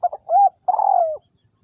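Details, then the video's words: Spotted dove kept as a ground decoy for trapping wild doves in Vietnam, 2022: a short low hoot, a smooth arched coo, then a longer slightly falling coo, cleanly heard against silence. "Tiếng Chim Cu Gáy Liêu Rồng Mắt Lé Chân Cua Mồi Đất"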